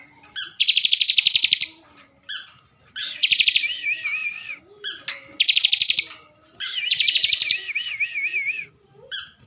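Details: Bar-winged prinia, a caged bird from Slawi in Central Java, repeats loud buzzy trills, some ending in wavering whistles, in bursts roughly every one to two seconds, with soft chirping in the background.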